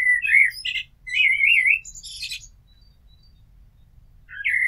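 A blackbird sings rich, fluty warbled phrases, each ending in a thin, squeaky twitter, with a quiet pause before the next phrase begins.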